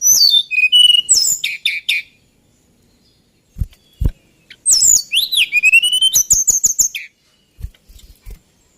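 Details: Male White-browed Shortwing delivering fast, jumbled phrases of high whistles, downslurred trills and sharp chips in two long bursts separated by a pause with low thumps.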